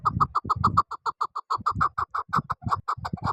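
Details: Chukar partridge calling a steady, rapid series of clipped chuck notes, about five or six each second, evenly paced throughout with little background noise.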